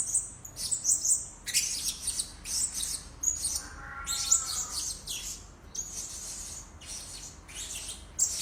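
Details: Lure recording of blue-crowned hanging parrot: a rapid run of thin, very high-pitched squeaks and sharp chips, some buzzy and clustered, with a soft lower warbling note midway.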